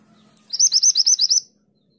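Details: Mantenan gunung in full song for songbird training, giving a quick burst of about eight bright, high-pitched repeated 'tulit' notes, evenly spaced, then silence.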